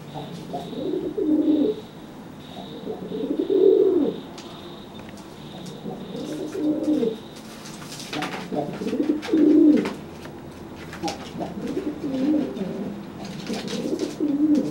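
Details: Repeated threat coos of a pigeon puffing up at a wet bird that cannot fly after bathing: rounded, low, moaning phrases every two to three seconds, with a faint high whine and occasional flapping.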